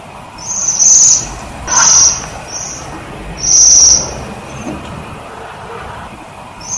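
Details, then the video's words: Waxwing feeding on privet: thin, high, ringing trills about half a second long, given three times at irregular gaps with a few softer, shorter trills between, over low rumbling background noise. "Свиристель на бирючине"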